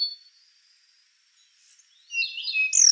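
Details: Rufous-brown solitaire singing a single bright phrase near the end, high whistled notes sliding down and then a sharp ringing flourish, after a quiet stretch with a faint steady high tone.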